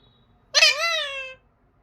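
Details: Talking pet parrot in a small room giving a single bye: a harsh, loud onset easing into a steady, slightly falling, buzzy vowel lasting under a second.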